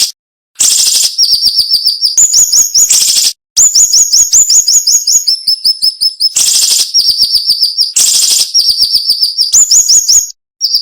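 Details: Tutor recording of siri-siri flowerpecker in the piercing 'nembak' manner with short gaps: repeated loud buzzy bursts alternating with quick strings of very high, thin, rising ticks that shift between pitch levels.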